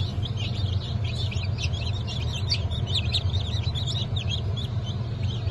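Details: Young chicks hatched on 1 April 2024, including Blue Brahma, Porcelain Brahma, Sussex and Maran, trill and cheep quickly and continuously together. A steady low drone sits beneath the calls.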